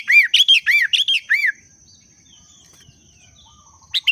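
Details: Sooty-headed bulbul in breeding condition, a booster sound: a loud opening run of about seven quick, arched, liquid whistled notes in under two seconds, then near silence and a brief final chirp, with a faint steady high tone.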